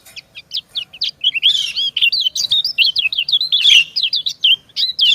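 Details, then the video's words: Female white-eye (kecial kuning) calling to a male: steady run of sharp high chirps, each sweeping up and down, occasionally blurring into a harsher buzz. "Suara ciak kecial betina mendayu merayu jantan"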